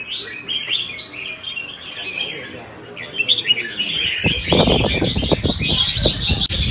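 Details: In a Vietnamese competition, a Red-whiskered bulbul pours out fast chattering whistles and warbled trills; during the final seconds, heavy rattling, knocking noise and music rise beneath the song.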